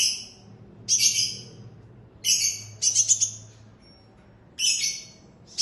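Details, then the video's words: Loud chirping from a purple-throated sunbird: four or five high, sharp bursts, some broken into quick stuttering notes, separated by pauses of about a second, over a quiet low hum. "PURPLE THROATED SUNBIRD OR HUMMING BIRD LOUD CHIRP"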